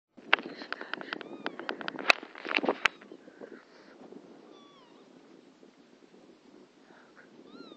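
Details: Northern lapwings in flight give wheezy, slurred 'pee-wit' calls that bend up and down in pitch, a few seconds apart, after an opening burst of clicks and rustling noise.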